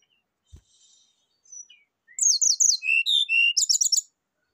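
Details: Rufous-chested flycatcher song played as a lure and therapy to coax birds into singing: a few soft faint notes, then a quick run of high, sharp chirps and twittering trills rising and falling for about two seconds.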